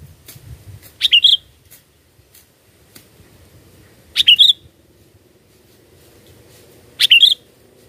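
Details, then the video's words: Sooty-headed bulbul calling as a bird-catching lure, giving three brief chirpy whistled phrases spaced about three seconds apart, each a quick cluster of notes ending in a falling slur. Faint low rumble between phrases. "Pikat Burung Kutilang"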